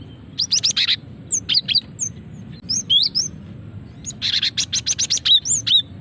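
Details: Female cinereous tit giving calls meant to lure birds and draw out song: rapid runs of high clipped chirps in two dense bursts, separated by single upward-slurred whistles and brief pauses, against faint low background hum.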